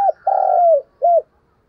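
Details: Spotted dove used as a decoy to lure wild doves: a brief low coo, a longer steady cooing note and a short final coo, all mellow and hollow in tone.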